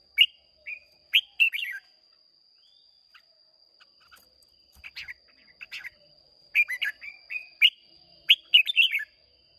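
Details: Red-whiskered bulbul, a wild-caught bird of Hoa Binh origin, in a contest singing bout on 30 May 2023: bright warbled phrases of rapid rising and falling notes in three bursts, with a steady high tone throughout.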